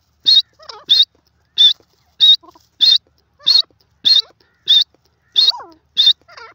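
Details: Grey francolin (teetar) giving a steady series of loud, high, clipped notes, repeated about every two-thirds of a second. Softer, thin wavering calls sit in the gaps between them.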